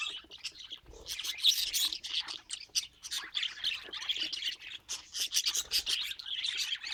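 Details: A group of pet budgerigars warbles steadily: fast, squeaky chirps and scratchy trills overlap with no break, with an occasional louder squawk.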